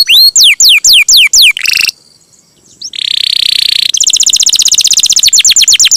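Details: Canary in long rolling song for training songbirds: loud descending whistled sweeps repeated about three times a second, a buzzy burst, a short pause, then a sustained buzzing trill and a fast rattling roll of clipped notes.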